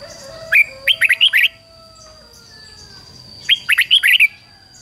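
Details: Decoy red-whiskered bulbul singing to call in wild birds: two lively phrases of five or six rapid, liquid whistled notes, each phrase about a second long and separated by a quiet gap, over a thin steady high tone.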